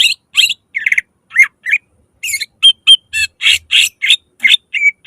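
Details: Loud greater green leafbird lure song, sung to provoke rivals into singing; buzzy, harsh bursts alternate with clear whistled notes in a quick, uneven series.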